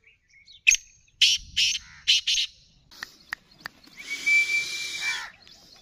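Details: Black francolin, a kept bird, giving five loud rasping bursts in quick succession, then sharp clicks and a steady hissing noise with a faint whistle-like tone.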